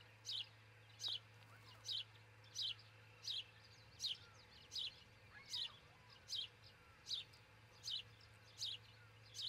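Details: Osprey nest in Charlo, Montana, filmed by a nest cam at dawn on 22 June 2018: twelve evenly spaced, high, falling whistled chirps in under ten seconds, with a faint low hum and a soft click.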